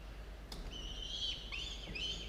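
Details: Falcon nestlings at a camera-monitored nest at 06:02 on 27 October 2022, after a sharp click, giving long, thin, slightly wavering squeals with short downward breaks, over steady hum.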